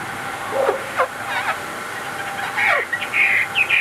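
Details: Caged Chinese hwamei kept as a songbird, singing short varied phrases: low whistled notes and quick downward slurs, then brighter high warbled notes near the end, over a steady background hum.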